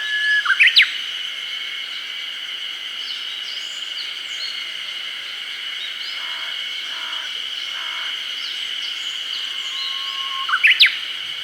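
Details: Two songs from a Japanese bush warbler in early-summer Hokkaido forest, about ten seconds apart. Each is a held low whistle followed by a sharp, loud ornamented ending, with a constant high drone and faint distant chirps between.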